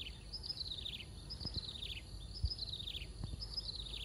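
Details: At 05:58 on 5 August 2024 in an industrial park, a small sparrow-sized bird gives thin, high chattering phrases descending in quick notes, repeated several times, over steady low rumbling and a few knocks.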